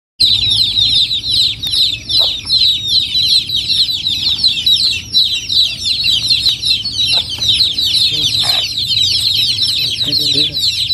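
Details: Many baby chickens in a rural village setting at Noldang, giving a dense, continuous chorus of high, thin peeping chirps that overlap without pause, with a few soft low clucks and faint rustling beneath.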